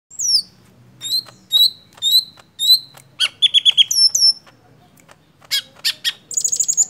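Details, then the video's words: Golden-fronted leafbird, kept as a cage bird and used as a lure to provoke other birds to sing: loud, varied phrases of clear downslurred whistles repeated about every half second, then buzzy notes and a rapid high trill. "Cucak hijau kepala kuning (CHKK) bagus buat pancingan"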